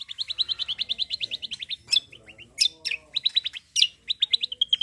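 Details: Cucak kombo in full song, used to prompt other birds to sing: long fast trills of high repeated notes, broken by sharp whistled downstrokes and short buzzy chirps, then renewed rapid trilling.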